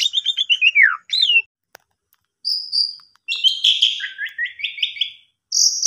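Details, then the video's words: Actively singing Asian pied starling, recorded as a lure to spur less vocal starlings: a rapid descending series of chirps, a thin high whistle, then rolling trilled phrases ending in a high buzzy note. "Pancingan Jalak Suren Gacor"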